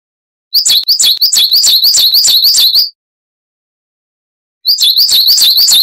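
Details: Periparus ater, the Coal tit, in a cage-bird training recording: a dense run of high, rapid, see-sawing 'wucit' notes lasting over two seconds, a long silence, then the song resumes just as fast.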